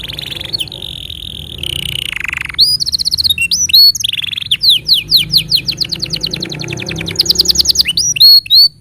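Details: Canary tutor song for training young birds and prompting silent ones: a long held buzzy note, then a lower dipping buzz, followed by rapid repeated upswept whistled syllables in fast rolling tours and bright chips.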